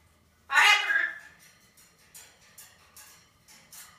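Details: Blue-and-gold macaw talking: a loud, harsh, screechy utterance lasting half a second, followed by a string of short, softer, breathy syllables repeated at uneven intervals.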